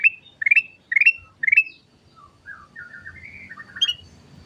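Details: Golden-fronted leafbird singing four quick, sharp rising whistled notes at about half-second intervals, then a softer wandering string of lower warbled notes and a final high chip.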